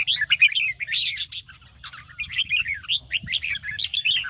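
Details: Red-whiskered bulbul in 'ché' morning song for training birds: an energetic burst of loud, buzzy warbling, a brief pause, then rippling, rapidly repeated slurred notes with a soft low hum behind.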